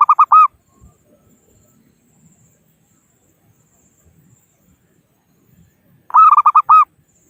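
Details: Local zebra dove, or perkutut, calling rivals as a lure for trapping: two bursts of rapid, soft, rounded coo notes, each phrase under a second long, separated by about six seconds of near silence.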